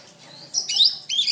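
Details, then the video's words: Canary training song: a short burst of high, bright warbled notes and a trill, after a quiet start. "SUARA BURUNG - Masteran Terbaik Kenari"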